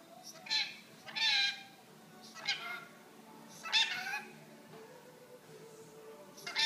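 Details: Pet rainbow lorikeet talking: several bursts of harsh, raspy, speech-like chatter spaced a second or two apart over a quiet indoor background.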